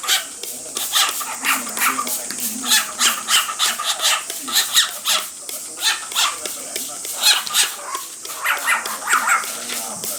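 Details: Pet male cockatiel producing continuous scratchy, pulsed vocal bursts while a female cockatiel is bathed with a mist sprayer; the rhythm is quick and slightly uneven, with a few higher chirps mixed in.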